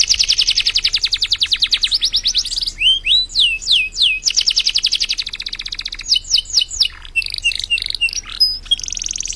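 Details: High-energy canary singing as a tutor for training birds: a long rapid trill of repeated notes, then looping downward-sliding whistles, quick rolls and thin piercing tones, all continuous and varied.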